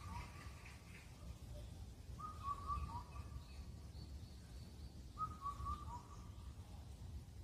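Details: Clear whistled Indian cuckoo phrases from a mountain in Incheon, Korea: four notes, the last dropping, repeated about every three seconds. Thin high bird notes sound faintly in the background.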